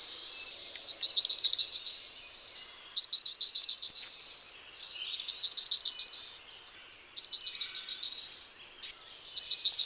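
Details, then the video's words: Black-throated blue warbler repeating its song: bursts of fast, high, buzzy notes ending in an upward slur, phrases coming regularly about every two seconds, in otherwise quiet surroundings. "Black throated blue warbler"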